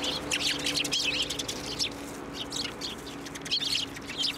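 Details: Eurasian tree sparrows at a Tenmangu shrine on 9 December 2023, flying onto a hand to be fed; bright, clustered chirps come in bursts over a steady low mechanical hum.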